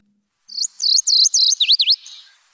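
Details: MacGillivray's Warbler song: a quick run of about seven high, buzzy, slurry notes, the first few level and the last ones dipping down, lasting about two seconds.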